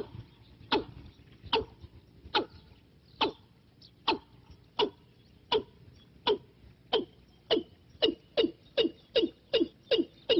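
A Watercock gives a series of hollow, knocking notes that start about a second apart and quicken to several per second. A faint background hiss runs underneath.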